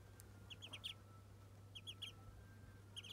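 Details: Muscovy ducklings at their first bath give high, thin peeps in quick clusters of three or four, with pauses of about a second between bursts and a low background hum.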